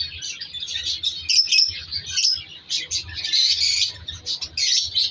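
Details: Colony of colour-mutation African lovebirds, including lutino Fischer's, breeding in an aviary in winter with chicks in the nest pots; busy sharp chirps and short squawks overlap from many birds, with brief pauses between bursts.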